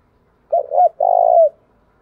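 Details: ['Spotted dove cooing to challenge rival males. Two quick arched coos are followed by a long, pulsing, gently falling note.']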